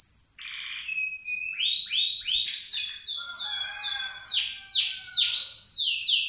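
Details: Canary after its moult, learning to sing again: a fast, varied run of high chirps, short trills and repeated downward-sweeping whistled notes, with brief sustained tones in between and nothing else audible.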